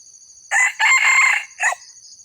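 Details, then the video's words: Red junglefowl crow used as a lure to draw in wild junglefowl: a short opening note, a long loud sustained middle phrase, then a brief clipped final note, over a steady high insect drone. "pikat ayam hutan datang ori tua"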